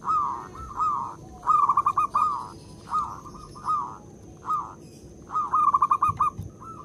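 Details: Local zebra dove singing loudly, used as a lure recording to set other perkutut calling: repeated short phrases of quick, bubbling coo notes separated by brief gaps, a thin constant high tone and low background rumble throughout.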